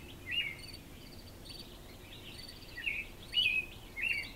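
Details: American robin (Turdus migratorius) singing in darkness at dawn before sunrise on June 9, 2014, with sparrows and roosters also singing: short, slurred caroling phrases at mid pitch separated by pauses, over a low hiss.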